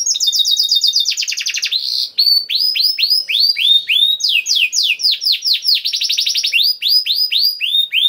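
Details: Canary in full song, played to spur other canaries to sing: a fast trill opens, then a long chain of loud sweeping whistled notes repeated about four per second, interspersed with rapid rolls.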